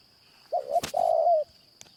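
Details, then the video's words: Spotted Dove cooing during a morning trapping session where a caged decoy dove lures wild doves; a mellow two-part coo broken by a sharp click, over a steady high-pitched whine. "ต่อนกเขาใหญ่คอนเช้ากับ เจ้าอ่างตลอด"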